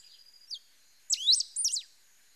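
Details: Pale-throated pampa-finch song: a brief high note, then after a pause a quick burst of sharp, high whistled notes with steep downward and upward slurs in two close phrases, over a thin steady hiss.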